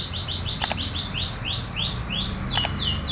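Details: Local canary with its original natural song, no imitations added: rapid repeated high arching whistled notes about three to four per second, interrupted twice by short sharp clicks, over steady low background noise.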